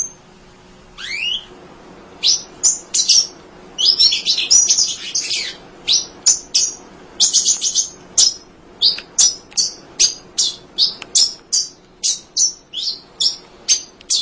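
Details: A munia chatters tirelessly, recorded to train other songbirds: an opening falling whistle, then a long run of crisp, very high chirps, dense at first and later evenly spaced at about two per second.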